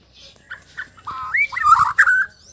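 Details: Sabah white-rumped shama singing calmly: a few soft notes building into a loud slurred whistled phrase with rising and falling warbles, faint low background noise.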